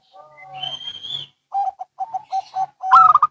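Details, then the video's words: Local and Bangkok zebra doves answering each other. A drawn-out higher whistled tone from another source is followed by a sequence of short low coos, then a loud rapid burst of ringing notes. "Perkutut Lokal & Bangkok Bunyi Saling Bersahutan"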